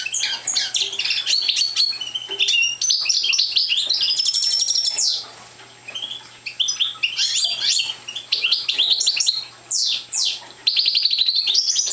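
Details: Immature goldfinch of the parva race, not in full song, gives long runs of lively twittering, scratchy buzzes and steep slurred notes, with a quieter gap mid-way and choppy resumptions, over a steady low hum.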